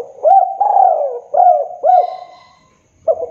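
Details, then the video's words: Spotted dove lure call for trapping wild doves in Indonesia. Series of low, hooting coos, each opening with a short rising note and sliding down into a drawn-out coo, about four phrases, then a brief start of another. "Suara derkuku / tekukur pikat ~ COCOK UNTUK PIKAT TEKUKUR ataupun PIKAT DERKUKU"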